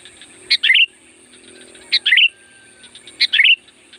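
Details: Sooty-headed bulbul song played to lure wild bulbuls: three quick phrases, each a clipped note and then a rich, falling warble, repeated roughly every one and a half seconds, with soft background twitter.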